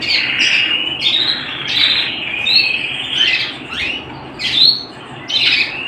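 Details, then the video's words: Canary singing at home: loud, bright song of swooping whistled notes and rapid slurred phrases, with short bursts rising and falling in pitch, separated by brief dips. "canary bird - canary singing - canary sounds - canary singing at home"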